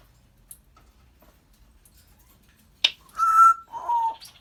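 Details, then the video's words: Pet African grey parrot indoors: after quiet, a sharp click followed by a steady clear whistled note and a lower, slightly falling whistle. "African grey talking, laughing and burping"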